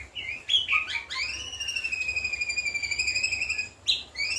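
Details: White-rumped shama delivering imitation-laden song of cililin, jenggot and kapas tembak: a few quick rising chirps, then one long steady clear whistle held for over two seconds, ending with another sharp upslurred note.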